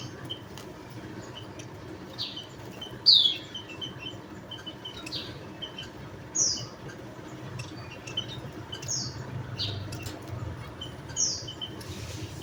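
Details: Javan munia repeating single high, slurred-down chirps every two to three seconds, one standing out clearly, over quiet hiss and low hum.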